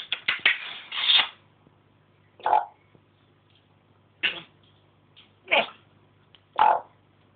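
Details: African grey parrot kept as a pet indoors, mimicking household noises and speech: a rapid burst of clicks and squawky syllables, then four separate short nasal calls spread over several seconds.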